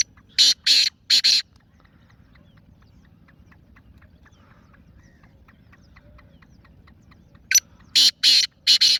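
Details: Black francolin call: a burst of three loud, rasping, scratchy notes, a pause of about six seconds with faint chirping from small birds, then a second phrase of four harsh notes.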